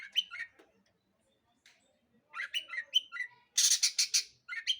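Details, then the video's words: Long-tailed shrike in lively lure song to provoke other birds into singing: scratchy, varied chattering notes in short bursts with brief pauses and one harsh, buzzy, broad-toned rattle. "PANCINGAN CENDET GACOR Di Jamin Pasti BUNYI"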